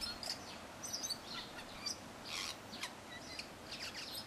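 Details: Tui singing in a cabbage tree: scattered high, bright notes and short whistled phrases, closely spaced in small bursts, over a steady hiss of background noise.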